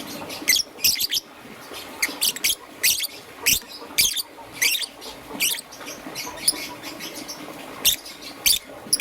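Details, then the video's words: In the morning, a young peach-faced lovebird with green and yellow plumage calls in short, shrill chirps, often paired, repeated about every half second with brief pauses. "Relaxation of Lovebird's melodious chirping sound - Young Peach Face Lovebird - Green and Yellow"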